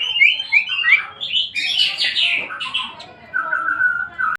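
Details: White-rumped shama song of quick rising whistles followed by a burst of harsh scratchy notes, ending with a steady level whistle.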